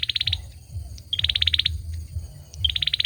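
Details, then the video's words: Male olive-backed sunbird song. Three rapid bursts of high, evenly pulsed notes packed into three seconds, with a couple of faint clicks between them and a soft low rumble behind. "Tiếng chim sâu dừa hót | Tiếng sâu dừa trống hót"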